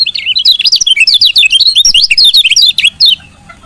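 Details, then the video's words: Female lemon-bellied white-eye chirp used to stimulate males to sing; over three seconds of loud, rapid, high, zigzag chirps in quick succession. "CIAK KECIAL KUNING BETINA"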